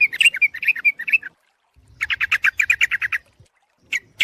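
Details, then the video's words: Sooty-headed bulbul calls used as a lure for trapping birds: a burst of quick chattering notes, a pause, then a run of about ten rapid, evenly spaced bright chips, ending with two short notes. "suara pikat burung trucuk ampuh"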